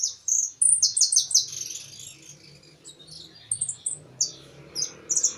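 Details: European goldfinch singing with a closing flourish, a field bird: bright, fast twittered phrases of high tinkling notes, a loud burst early, then quieter chirps and short trilled fragments with a faint low hum beneath.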